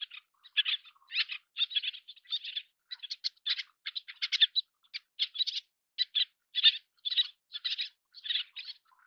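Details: Little tern, Sternula albifrons, feeding chicks: continuous high, raspy chattering, with sharp clipped notes delivered several per second in uneven groups and no background sound.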